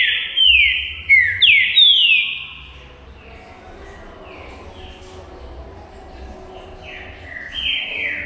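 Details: Green-winged saltator singing to set other birds singing: three loud sharply falling whistled phrases, then a series of softer, more distant-sounding descending whistles at a steady pace, ending with louder slurred notes.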